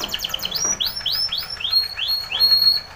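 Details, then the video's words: Timbrado canary song used in training: quick notes leading into slower, arching whistled phrases repeated about twice per second with a thin high tone above. "Timbrado canary's most powerful song for training - CANARY TRAINING SONG"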